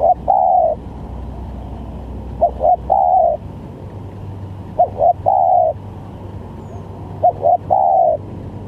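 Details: Spotted dove calling as a lure for trapping, with varied calls: four cooing phrases, each two quick short notes then a longer mellow coo, spaced about two seconds apart over low background rumble.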